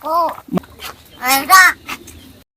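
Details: A talking crow, said to have a cough, imitates human speech in Marathi, in Palghar, India: a few hoarse, word-like syllables in three short bursts over about two seconds, with nothing else competing.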